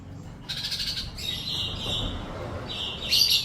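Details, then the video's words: High, thin hummingbird song: a run of squeaky, buzzy chirps strung together without pause, with a brief sharper squeak near the end over faint background hiss. "sound effect bird Paling Gacor colibri"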